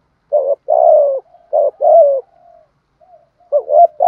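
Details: Spotted dove coo in the mixed thổ and đồng voice style, played to coax decoy and newly trapped birds to coo. A long mellow coo, then a short note and another long falling coo with a soft fading tail, then a new phrase starting.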